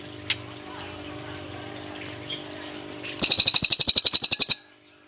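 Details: A quiet stretch broken by a cililin's tembakan burst: a short, rapid volley of shrill, ringing notes lasting just over a second, then silence.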